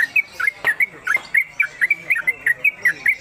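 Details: Caged Sooty-headed Bulbul, a newcomer bird, singing in the rapid 'konslet' style used as a tutor song for other birds: quick bubbly whistled notes, each rising and falling, repeated about every quarter second without pause, with faint background noise.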